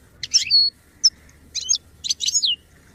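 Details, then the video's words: Goldfinch sounds for song development: four short groups of sharp, high, twittering chirps with brief gaps between them. "Birdsong sound effect beyond support and inspiration goldfinch"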